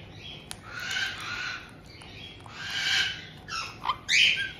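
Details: White-bellied caiques kept indoors in Tokachi, Hokkaido, where a resident mated pair appears to welcome a young bird of about two months, 2023/06/18. Long, raspy, hissing screeches come in two drawn-out bursts, then short clipped squawks and a shrill rising shriek.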